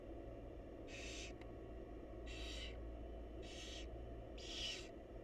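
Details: At a wild barn owl nest box during feeding of the chicks, four drawn-out raspy hisses sound about once a second, the last slightly sharper, with a steady low mechanical hum throughout.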